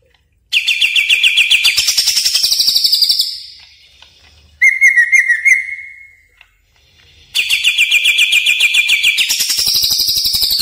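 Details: Greater green leafbird lure sound, with two long runs of rapid grating chatter, about three to four notes a second, separated by a steady whistled phrase with faint trills.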